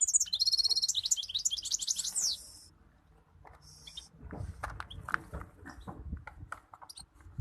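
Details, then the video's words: European goldfinch giving a bright, high twittering song of quick tinkling notes for about two seconds, followed by scattered clicks and tapping sounds. "أحلى صوت مقنين"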